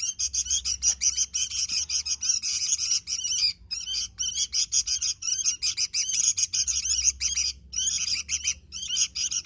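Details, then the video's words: Sooty-headed bulbul, described as gacor (singing lively and often): dense bursts of fast, bright, harmonic chirps, each burst about a second long, repeated almost without pause, with a faint low hum underneath. "Suara Burung Kutilang Gacor"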